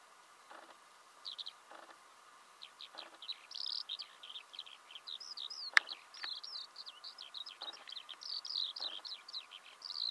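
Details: Song of a Eurasian skylark recorded in Belarus in March 2016: after a few scattered soft clicks, high twittering phrases build into a fast, continuous, ringing warble that carries on to the end.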